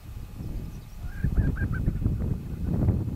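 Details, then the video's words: Lesser prairie-chickens lekking south of Muleshoe, Bailey County, Texas, on April 6, 2011, give four or five quick, mid-pitched cackling notes in a row, over heavy low wind rumble and murmuring from other birds. "Lesser Prairie Chickens Lekking"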